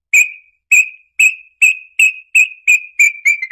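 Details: Red-legged tinamou song: a series of loud, clear whistled notes, each with a short falling tail. The gaps shrink steadily so the notes come faster and run together at the end. The background is silent.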